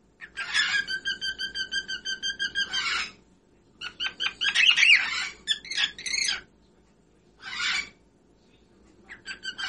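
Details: Singing whiteface pearl cockatiel gives a steady train of ringing harmonic notes, then chattering bursts of mixed whistles and scratchy squeaks in uneven phrases with brief silences.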